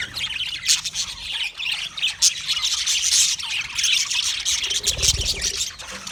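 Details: Budgerigars chattering in a dense, continuous wash of high, scratchy chirps and squawks, with overlapping voices throughout and brief louder bursts near one and three seconds; a soft low thump near five seconds.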